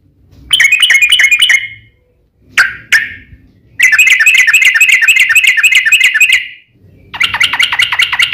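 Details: Fighting song of a yellow-vented bulbul, the long rapid 'ropel' style used as a lure for other bulbuls. Bursts of quick, bright, repeated chattering notes are separated by short pauses, with a faint low background hum.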